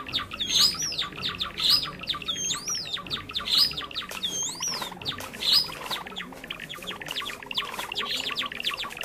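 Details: Java sparrow lure sound for trapping: loud, fast chattering chips, broken by looping whistles that rise then dip, clustered in the first half, followed by denser chatter.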